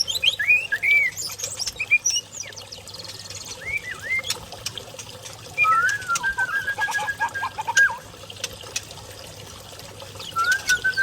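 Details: Young pair of white-rumped shamas from the forest of Lamno, Aceh Jaya, singing clear looping whistles and rising and falling phrases amid steady low hum and scattered clicks.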